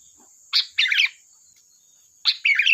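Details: Sharp, chatty sooty-headed bulbul song recorded for luring birds: two bursts, each a clear rising chirp followed by a bubbly warbling flourish, separated by a pause, with a steady high whine in the background.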